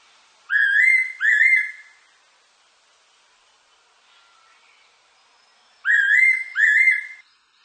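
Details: Fairy pitta song recorded in 2020, a doubled whistle phrase of two upslurred, clear notes heard twice, each pair separated by a quiet pause of roughly four seconds, with only faint hiss between.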